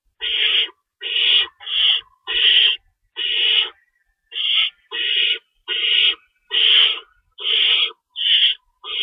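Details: Owls at a nest during feeding time on 25 March 2012, 3:53 AM, with an adult shredding stored rabbits. Eleven harsh hissing screeches come in a brisk series with a short pause midway.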